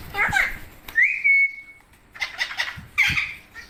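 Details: Parrot talking, giving a raspy vocal phrase, then a clear whistle rising and held steady for nearly a second, followed by breathy, speech-like syllables.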